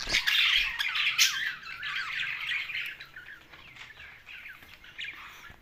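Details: Pet Australian parrots called budgies give loud raspy squawks and chatter at first, then softer scattered twitters fade toward the end.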